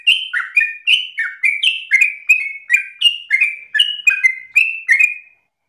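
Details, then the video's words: Sooty-headed bulbul, kept bird, singing persistently: loud clear whistled notes, each a short slurred phrase dropping or rising, repeated about twice per second in a steady run; no other sounds. "Trucukan gacor narung ropel ngotot paling Bagus untuk pancingan masteran"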